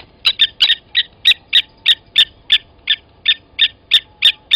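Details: Metallic tink notes from blacksmith lapwings at a dam waterhole on Djuma Game Reserve, South Africa, on the morning of 29 August 2020, when one adult killed a chick from the nest. Clear, evenly spaced clinks, roughly three per second.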